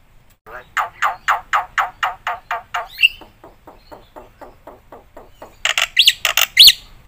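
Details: A black-winged myna sings for prompting and tutoring: a steady train of rasping notes, a single clear whistle, softer repeated calls, then a loud jumble of squawks and high whistles.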